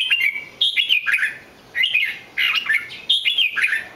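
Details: Red-whiskered bulbul giving three separate warbling phrases, each a tumbling run of clear whistled notes that swoop downward, spaced by short silences.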